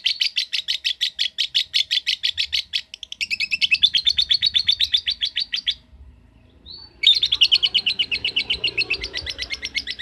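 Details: Lovebird in the ngetik style producing extended ngekek trills. Two fast runs of raspy, machine-gun notes last about six seconds, then a brief silence and a short rising whistle. A third rapid chattering burst follows.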